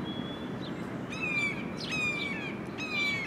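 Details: A red-tailed hawk, soaring, gives three short, slightly hoarse, downslurred calls about a second apart over a steady low rumble of wind.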